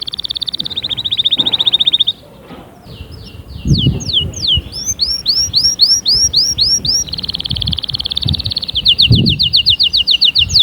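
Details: Canary song meant to spur other canaries to sing. A rapid high trill stops abruptly, followed after a pause by falling swoops and quick rising notes. A long steady trill closes it, over soft rumbling background noise.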